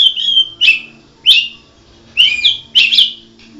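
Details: White-rumped shama, Murai Medan blorok type, singing bright high whistled phrases, about five rich warbling bursts spaced roughly every half second, each opening with a sharp click.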